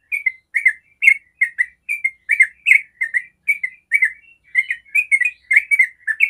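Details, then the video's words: Yellow-vented bulbul singing the long 'ropel' style, used to draw answers from other bulbuls; brisk, liquid chirped couplets repeated steadily several times a second, one short pause, otherwise silent background. "Trucuk ropel panjang sangat jago bikin trucuk manapun langsung nyaut ropel"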